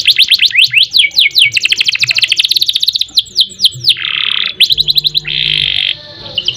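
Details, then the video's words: Canary singing in a lively 'gacor' style with rolls, bursts and harsh rasping 'ngerek' notes: rapid whistled trills and downslurs, then two long buzzy grating notes near the end. "Kenari Gacor Panjang Ngerek Ngerol Nembak Mantap Buat Masteran dan Pancingan | Bird Singing"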